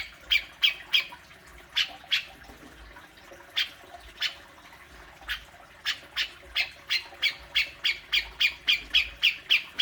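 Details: Fierce besetan of a grey-cheeked bulbul, used to provoke a kept bird: a few scattered squawks early, then a long accelerating string of rasping notes, about four per second, building toward the close.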